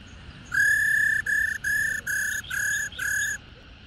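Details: Female Black-throated laughingthrush, wild-caught and mature, making 'ro' calls to excite males: six loud, buzzy, harmonic-rich notes in quick succession, the first longest, each evenly flat in pitch.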